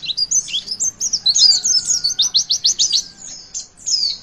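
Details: Song of a Javan white-eye, used to get young birds singing: high sweet warbling leading into a fast, evenly spaced series of sharp downward-sweeping notes, about three per second, then a closing twitter.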